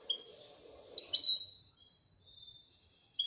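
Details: European goldfinch, described as a royal goldfinch, giving sparse high chirps, then a short clustered burst and a long thin whistle slowly falling in pitch, fairly quiet against a soft low murmur.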